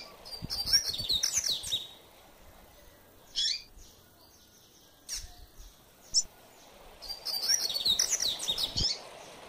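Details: Double-collared seedeater giving the mateiro song style: a quick, warbling high phrase, then three or four spaced single chips over several seconds, and a second rapid twittering phrase, with low background hiss.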